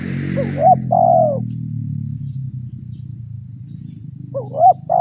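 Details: Spotted dove lure call for provoking other doves: one full phrase of wavering notes and a long falling coo, then the start of another, over strong low rumbling noise and a high steady hiss.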